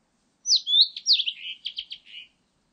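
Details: Blue-and-white flycatcher (Cyanoptila cyanomelana) call, recorded in 2020: a bright, high phrase under two seconds of sweet slurred whistles falling in pitch, then a quick run of buzzy notes.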